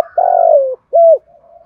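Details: Decoy spotted dove calling on a rainy, windy morning to lure wild doves: a long, burry, slightly falling coo followed by a short, clear, arched note, with faint low cooing trailing behind.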